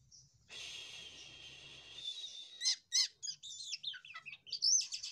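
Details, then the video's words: Jalak kapas myna song in the continuous 'losdol' manner. A steady grating hiss lasts about two seconds, then sharp chirps and bright twisting whistled notes follow in quick succession. "SELALU MEJENG DENGAN KICAUANYA,JALAK KAPAS LOSDOL"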